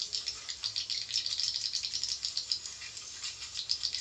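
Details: Javan swiftlet sound played to gather swiftlets: fast, dry, high-pitched rattling chirps in rapid bursts, like a shaken rattle, continuous throughout.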